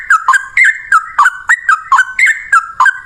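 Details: Yellow-vented bulbul in energetic continuous singing, a rapid run of bubbly whistled notes dipping and rising, repeated about three times a second with no pause.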